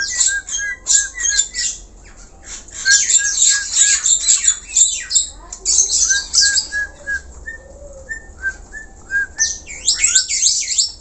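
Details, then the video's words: Black-collared starling in energetic song: rapid harsh chattering squawks alternating with runs of short, evenly spaced whistled notes repeated in series, ending in a burst of rasping calls. "JALAK HINGKAONG GACOR SUARA ALAM"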